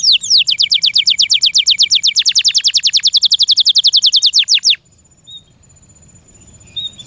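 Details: Captive canary delivers a long series of loud falling whistled notes, speeding into a rapid trill for over four seconds, then stops, leaving faint chirps.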